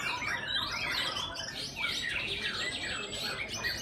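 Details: Session 7 of a white-rumped shama singing competition: loud, varied warbled phrases with swooping whistles and a thin high sustained tone, several birds singing over one another, low background murmur.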